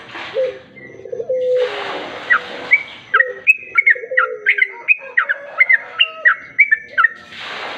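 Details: Sooty-headed bulbul (trucuk) sound played as a lure to attract other bulbuls: a lively run of short, sharp, clear notes, some rising and some falling, repeated roughly twice a second, after a few lower warbled phrases and a burst of rustling noise.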